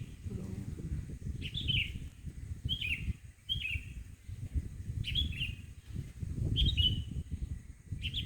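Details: Bird singing in the morning in front of a house: short bright chirps with quick descending trills, repeated roughly every second, over steady low rumbling background noise.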